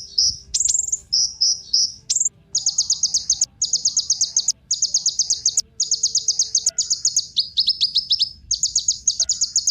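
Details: A kolibri ninja sunbird sings as a lure for other birds: long, fast runs of very high, ticking notes, each run lasting under a second, broken by brief gaps and a few sharp single chips.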